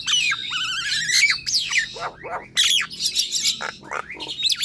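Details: An energetic Nias hill myna used as a singing lure for reluctant birds, delivering wavering, warbled whistles that rise and fall rapidly, mixed with harsh chattering notes and short bright calls.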